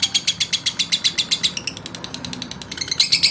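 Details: Male lovebird calling to provoke rivals: a fast series of sharp, high chirps about four per second, pausing briefly before resuming with louder notes, over a steady low background hum.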